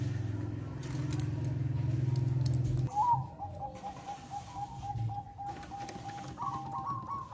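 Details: A Bangkok zebra dove gives a melodious run of soft, quick, rippling cooing notes at a fairly high, even pitch after a low engine-like rumble at the start; the song is meant to raise breeding arousal in zebra doves.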